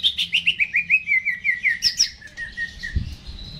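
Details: Greater green leafbird kept in a cage, singing loudly before being hung up: a rapid run of about fifteen sharp chirps that slide gradually lower in pitch, followed by a softer trailing phrase.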